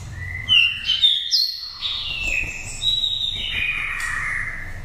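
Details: Oriental magpie-robin from Daklak, Vietnam, raised from the nest and five seasons old, singing a pure wild-type voice for stimulating or luring birds: continuous sweet whistled phrases jumping between high and middle notes, loud and varied, with faint low hum.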